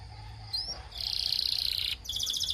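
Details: Belgian canary singing, played to prompt other canaries to sing: a thin upward whistle, then a dense buzzy rolled trill for about a second, a short break, and a second pulsed trill at higher pitch.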